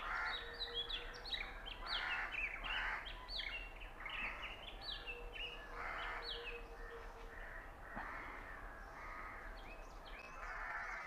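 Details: Oriental magpie-robin song from Punnad, Iritty, captured with a Nikon Coolpix B600. Rich, varied whistles and chirpy notes tumble out in quick succession, with a steady faint hum and another low tone in the background.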